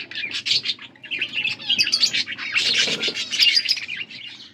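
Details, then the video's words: Pair of blue budgerigars feeding each other on August 13, 2024, giving continuous rapid chattering chirps, raspy and warbled, swelling in the middle and fading at the end, with steady low background hum. "Beautiful blue budgies 💙 feeding to each other birds chirping sounds"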